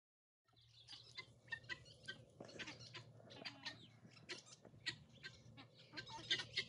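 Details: Pearl guineafowl in a garden flock, harsh chattering notes at moderate distance over a steady low hum, repeated roughly four times a second.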